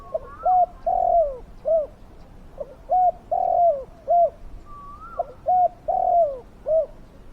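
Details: Spotted dove kept as a lure for wild doves, noted for its big, fierce voice. Its cooing phrases repeat three times, each with two short hoots, a drawn-out falling coo and a closing note. Rising whistles of another bird are heard between them.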